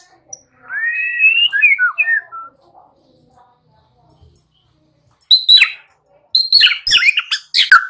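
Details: White-rumped shama song used to lure untrained young shamas into singing: a looping whistled warble rising and falling, then after a quiet stretch loud, dense bursts of sharp varied notes.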